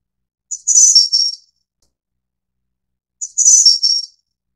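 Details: Pair of very high, hissing-thin phrases from a Snowy-browed flycatcher, Ficedula hyperythra innexa, spaced nearly three seconds apart, each a brief introductory note then a short trilled run falling a little; nothing else audible.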